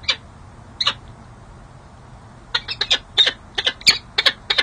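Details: Courting peregrine falcon pair on the San Jose City Hall ledge, California, in mid-January 2024; two sparse rasping notes, then a quickening run of clipped, hoarse chips.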